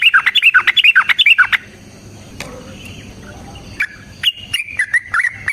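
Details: Trucukan, the sooty-headed bulbul, giving 'gacor ropel panjang' fighting song for luring other birds to reply: fast burst of bouncy chirps, a quiet gap with a faint click, then higher clipped notes and warbles.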